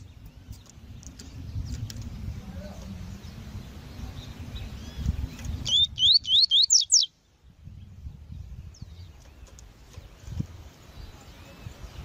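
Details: Female Double-collared Seedeater calling, used to warm up males for pairing: a rapid string of seven thin, rising whistled notes in the middle, with faint distant chirps and low rumble around it.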